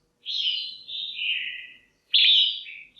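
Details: Female red-whiskered bulbul in a cage, calling loudly to stimulate males or to form a pair: a long whistled phrase that steps downward in pitch, then a short, bright, upswept note after a brief pause.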